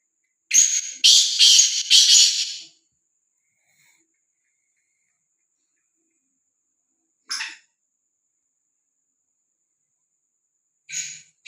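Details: Free-roaming, fearless black francolin calling: a burst of four loud grating notes over about two seconds, then silence broken by two brief rough notes later on.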